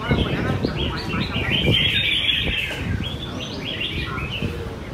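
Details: Red-whiskered bulbuls singing at a Sunday-morning competition in Quy Nhơn, Vietnam, on 21 June 2020: bright chirping phrases near the top of the range overlap continuously, with low crowd murmur and rumble underneath.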